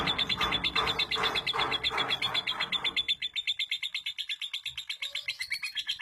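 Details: Captive female lovebird from East Lampung, Indonesia, kept for long-duration singing: rapid high chattering trills pulsing about three times a second, loud and rough at first with lower harmonic noise, then thinner and purer for the last half.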